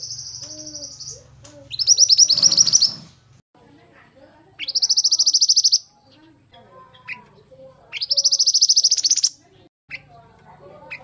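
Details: Pied bushchat in full song, used as training material: three bright, fast trills rising sharply at their start, spaced by quieter gaps with faint chirps, a brief noisy burst and low hum.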